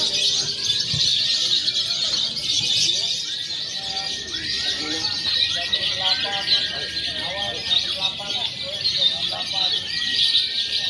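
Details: Lovebird contest simulation for training birds before a real event: eleven seconds of dense, piercing twitter, with a sustained thin whistle across the middle and bursts of rapid descending chirps.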